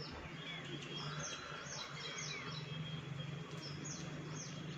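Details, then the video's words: At a balcony in the monsoon season, Baya weavers utter evenly spaced, high, falling chirps about every half second, with a thin steady tone and low hum behind. "Baya weaver Birds"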